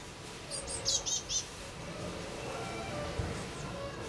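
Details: At a nest box on 8–9 May 2020, blue tits give a single quick series of four piercing high chirps, followed by quieter low rustling background sound.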